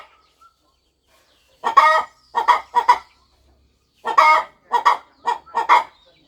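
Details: Mother hen preparing to hatch her eggs on a farm nest, clucking; after a silent start, two phrases of three to four rough, nasal clucks each, with a brief quiet stretch between them.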